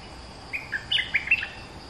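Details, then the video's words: A caged Streak-eared Bulbul, two months in the cage, gives a passable lure song: a rapid, bouncing string of clear whistled notes, several quick slurs, some doubled, over low steady background noise. "เสียงนกดอกแตงEp.220 จ้าวเล็บขาวอายุกรง2เดือน เพลงพอฟังได้ มีลักเบิ้ล Suara pikat merbah lekir gacor"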